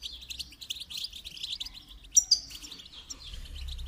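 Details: Goldfinch song for training: dense high chirping and twittering, with two sharp loud notes just past two seconds and a low hum rising at the end.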